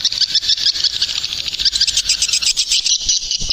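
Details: Swiftlet lure call used to attract swiftlets in the rainy season: a fast, pulsing high chatter with rapid buzzy repeated notes throughout.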